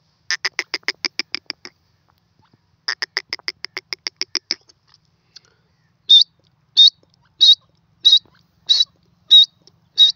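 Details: Grey francolin, locally called teetar, calling while roaming free: two bursts of rapid, evenly spaced clicking pulses, then loud, sharp, high notes repeated about every two-thirds of a second. No other sounds.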